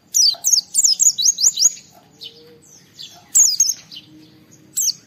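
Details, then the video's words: Singing 'gacor' Oriental white-eye challenging rivals, used to make other white-eyes reply: a fast run of high twittering, down-slurred notes, then scattered softer chirps and another brief bright burst. "Suara Burung Pleci Gacor Cari Lawan Bikin Semua Pleci respon gacor buka paruh"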